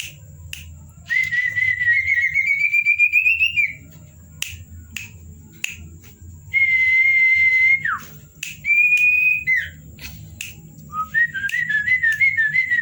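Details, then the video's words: Common Iora (cipow) whistling variations at night: long clear whistles that climb gradually, a steady held note ending in a falling slur, then a choppy rising whistled phrase, with sharp clicks in the gaps. "burung cipow teman ngopi_gacor di malam hari_variasi siulan"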